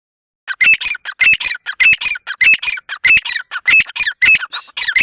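A partridge gives loud, harsh, grating calls in quick bursts, about one or two every second, high-pitched and insistent, with no other sounds.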